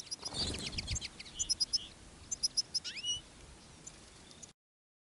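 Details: Goldfinch decoy bird singing in the field during a silvestrismo outing, calling wild goldfinches alongside a female jarilla bird. After a noisy rustle come quick high twittered chirps in short bursts and a slurred downward note.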